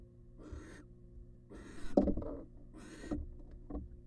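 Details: Wild female barn owl incubating eggs inside a monitored nest box. She gives three short, harsh, breathy hisses about a second apart, mixed with low thumps and rustling from movement in the box.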